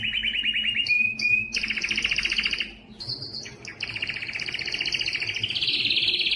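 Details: A Spanish Timbrado canary sings a continuous run of rapid, rolling trills, shifting between high buzzy and metallic tours with brief whistled notes, filling the whole clip.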